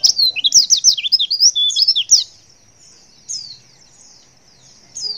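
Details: Lure call of a female white-eye, said to make males respond: two seconds of rapid, swooping, high-pitched twittering, then quiet with two short thin chirps spaced apart.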